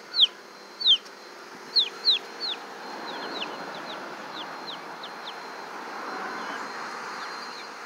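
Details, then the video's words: Baby chickens peeping; loud, high, downward-sliding cheeps come in a quick burst of about five, then softer peeps continue irregularly over a hissing background. "Baby chickens"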